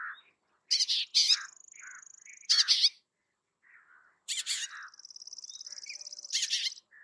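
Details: Bay-backed shrike song mixing harsh buzzy bursts with long thin high whistled trills and soft quiet warbles between phrases, in a quiet background.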